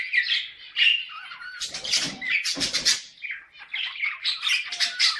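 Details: Budgerigar pairs in a home chatter in a busy, scratchy warble of squawks and chirps; played so pet pairs get into breeding condition, as flock sounds do in breeding aviaries.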